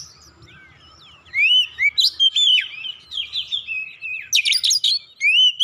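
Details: Oriental magpie-robin song meant to provoke rival birds into singing: after a quiet start, a loud, varied stream of ringing whistles, slurs and rapid chattering bursts, closing on an upward-swept whistle.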